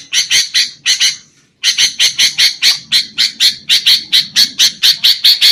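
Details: Sooty-headed bulbul calling on a trapping lure recording: a few harsh notes, a short pause, then a long even run of rasping squawks repeated about every quarter second over a soft low background murmur.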